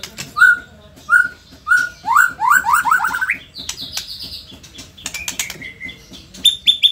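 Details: Indonesian white-rumped shama, a lively performing bird, with three clear upswept whistles, a rapid ladder of rising notes, then high chattering phrases and a sustained whistle.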